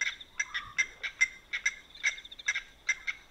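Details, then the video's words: Blacksmith lapwings at night by a dam in Manyeleti Game Reserve, South Africa. Sharp metallic tinks ring out irregularly, often in quick pairs, and sound like a hammer striking an anvil. A faint low note is heard once. "Blacksmith Lapwing Call & Sounds"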